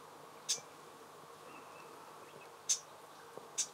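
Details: In the mountains of Tohoku, Japan, in early August, a Japanese bush warbler (Horornis diphone) gives three short, dry, ticking chips, spaced irregularly a second or two apart, over faint steady hiss.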